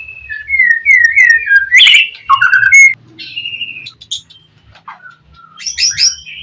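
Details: White-rumped shama in gacor style, played to provoke other shamas into answering: clear whistled phrases sliding between notes, a brief louder burst near two seconds, then softer scattered notes and a high trill at the end.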